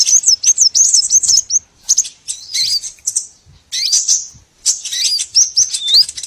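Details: Small birds chirping, played as a lure for trapping: high, thin twittering notes in short bursts broken by brief silences, some notes hooked or slurred.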